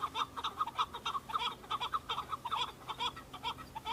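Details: Male Chukar partridges, several together on Bamo mountain, Kurdistan, fighting and displaying to females during breeding season; loud, close, overlapping chucking notes come in quick pulses, with a low steady hum beneath.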